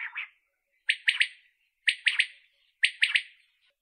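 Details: Common quail calling in bright triple phrases: a sharp first note, then two quick liquid notes close together. The phrase repeats about once a second over a quiet, clean background.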